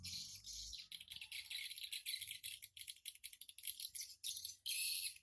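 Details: Swiftlets coming and going at a small nest house, morning of 14 August 2018, 07:25; high, rapid, buzzy rattles and clicks pulse almost without pause from several birds, with a low hum early on.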